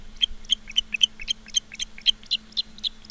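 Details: High, clipped whistling chirps from ospreys at their nest in Charlo, Montana, recorded by a live cam on 15 August 2023 at 16:06, coming in a quick uneven series above a low background hum.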